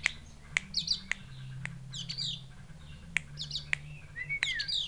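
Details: Javan grey-throated white-eye from the forest of Mount Wilis, Java, whose call is likened to a chick calling its mother, gives sharp clicking chips about every half second, mixed with high, thin twittering over a low hum.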